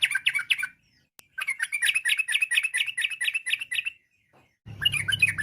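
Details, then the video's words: Yellow-vented bulbul in full chatty song of the 'ropel' rapid style, meant to make other bulbuls answer: a short bubbly burst, a click, then a long even string of liquid warbled notes and a final busy phrase. "trucuk gacor, bikin trucuk lain nyaut seketika.! trucuk ropel, trucuk nggaruda, kicau trucuk fariasi"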